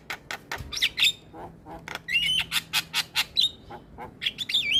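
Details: Starling song played to provoke quiet birds into singing and to pull in other starlings: scratchy clipped notes mixed with drawn-out high whistles, irregular and loud.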